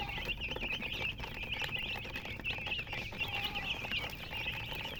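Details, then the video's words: Colour chickens chirping loudly: sharp, high, slightly wavering peeps come in quick overlapping bursts, pulsing in loudness, with soft low-pitched background noise. "silly chicken chirping sounds with murgi hen color chicken"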